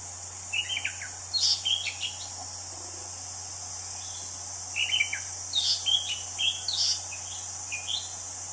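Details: Anis cendana thrush in the wild, giving scattered phrases of quick twittering notes and sharp rising chirps, repeated in loose groups every couple of seconds, with a continuous shrill background hiss and faint low hum.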